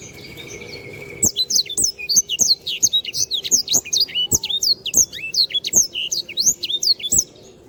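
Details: A black-throated canary, called sanger, delivers a gacor tutor song: six seconds of fast, repeated high swooping notes and twitters at an even pace, with light ticking clicks and a steady low hum.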